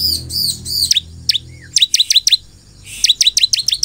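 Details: Prinia song used to make other prinias respond: three arched high notes, then a series of sharp downslurred chirps in two short bursts, over a soft low background hum.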